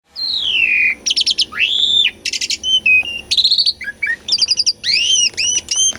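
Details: Asian pied starling (jalak suren) in full song, a lure for stuck birds, filmed on a Sony A6400: a long descending whistle, then buzzy stacked bursts, rising whistled notes and rapid chattering phrases with short gaps between them.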